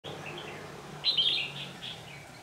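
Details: Red-whiskered bulbul decoy bird used in trapping, recorded 18 November 2018: a short burst of bright, warbled notes around the middle, with softer chirps before and after over a low steady background hum.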